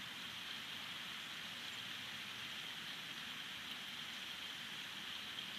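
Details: Constant hiss of rain falling on a surface, even and unbroken throughout.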